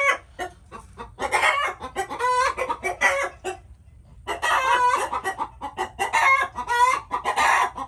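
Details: Several chickens cluck and squawk almost continuously, harsh harmonic notes crowding together, with one brief pause near the middle.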